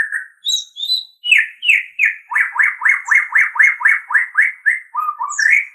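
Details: White-rumped shama song for tutoring captive birds: a few whistled notes lead into a fast, even string of sharp downslurred chips, closing with lower notes and an upward flourish.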